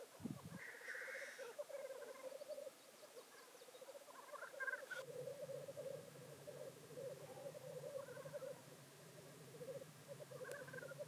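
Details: Lekking black grouse near Llandegla Forest and World's End, North Wales, 25 February 2019. Long rolling bubbling rookoo chorus with several short hissing sneezes scattered through it, and a low steady hum in the second half.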